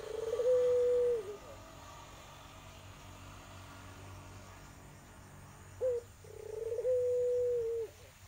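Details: Barbary dove of the tangerine colour variety, kept as a lure to start a silent dove calling; one low, rolling coo near the start, a long quiet gap, then a brief clipped note followed by a drawn-out, slightly trilling coo over a faint steady hum.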